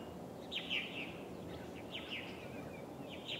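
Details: Purple martins near an osprey nest, Steigerwald Lake National Wildlife Refuge, Washington State, USA, 24 July 2011: scattered brief chirps and gurgled notes, a louder burst early, then sparser calls against constant low environmental noise.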